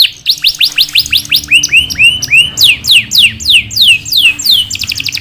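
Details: Actively singing canary delivering long rolls and distinctive 'shots'. Quick descending chirps give way to a few slurred rising whistles, then buzzy twittering trills and further falling sweeps, all high-pitched and steady.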